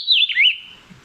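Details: An endemic Puerto Rican Vireo in the San Juan Bay Estuary, Puerto Rico, a well-camouflaged bird more often heard than seen among branches, gives one quick, high whistled phrase that dips then lifts, like its Spanish name 'bien te veo'; otherwise quiet.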